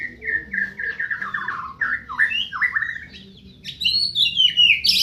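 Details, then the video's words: White-rumped shama from Medan pouring out a fast string of descending whistled notes, then swooping slurs, ending in a high, shrill, rising flourish. "Burung murai batu medan"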